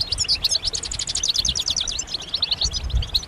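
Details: European goldfinches calling together, mating and readiness calls that push a silent male to sing: crisp, high chirps and short tinkling notes tumbling rapidly over soft background hum.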